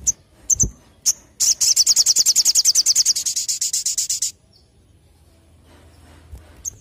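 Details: Olive-backed tailorbird (sogon) singing in the gacor nembak ngleper style: a few thin, high chips, then a fast run of about 25 sharp, high notes lasting nearly three seconds, then quiet.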